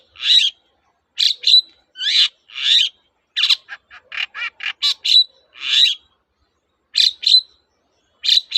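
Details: Long-tailed shrike (cendet) song aimed at getting silent shrikes to sing again: harsh grating notes, a quick descending run of short chips in the middle, then spaced raspy notes.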